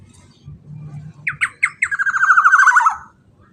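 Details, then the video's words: Loud Black-naped oriole lure call for prompting other orioles to sing and become agitated: four quick sharp notes followed by a grating, nasal, slowly descending buzz, with a low motor hum just before. "Pancingan Burung KEPODANG EMAS Super LANTANG pancingan agar kepodang lain ikut BUNYI & EMOSI"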